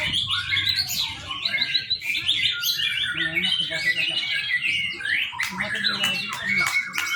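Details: Young white-rumped shama pouring out a fast, varied song of whistled slurs, short trills and chirps in dense overlapping phrases, used as a lure for training birds.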